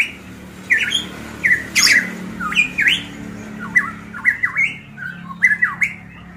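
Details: Golden myna from Manokwari, Papua, singing loud, clear whistled notes, each a short rising or falling slur, given in irregular bursts with brief pauses, over a low steady hum in a small room.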